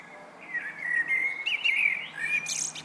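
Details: Common starling singing from a roof: a continuous warbled, slurred whistling phrase rising and falling, ending in a burst of high, scratchy notes, over a faint low hum.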